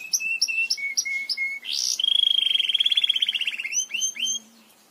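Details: Belgian canary in full song, sung to teach canaries: repeated chirps and short whistles, a loud sweeping burst, then a long rolling trill and a few closing slurred notes.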